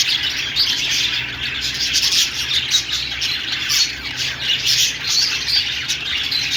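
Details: Budgerigar chatter fills the whole stretch: rapid, overlapping chirps and scratchy warbled notes, fairly even in loudness with small surges, over a faint low background hum.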